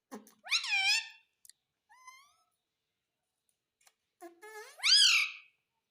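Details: Pet talking parrot that says "mummy": two loud, rising, drawn-out voiced syllables with rich harmonics, separated by a soft short note and clicks, in a quiet room.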